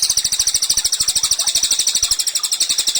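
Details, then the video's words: Energetic cililin, used to train other songbirds, delivering a continuous shrill, buzzy trill of rapid identical notes, about three per second in pulsing groups, with steady soft ticking beneath. "CILILIN GACOR, MASTERAN HANDAL UNTUK BURUNG KICAU."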